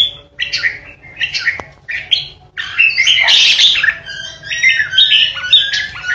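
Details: Caged lure red-whiskered bulbul singing the 'ché' style that intimidates opposing birds: choppy chattered phrases at first, then a dense, loud, grating warble sliding up and down, with soft background hum.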